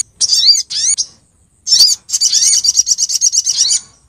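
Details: Lure call of a female Brown-throated sunbird (sogok ontong) summoning males, from Lumajang: two short high squeaky phrases, a pause, then a long fast series of sharp repeated twittering notes.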